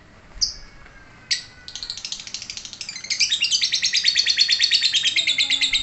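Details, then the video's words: Lovebird giving its long ngekek chatter: two short high chirps, then a fast run of buzzy, high repeated notes, about three a second, growing louder and fuller midway and carrying on to the end. "Cek - cek cer Lovebird langsung ngekek"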